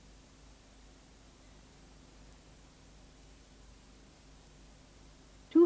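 Nearly silent room tone with a faint low hum, ending in a sudden loud burst like the start of a spoken word.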